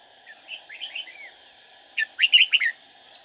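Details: Red-whiskered bulbul used as a decoy bird in trapping, singing to lure wild rivals: a soft warbled phrase, then a louder burst of five quick, liquid, up-slurred notes, over a steady electrical hum.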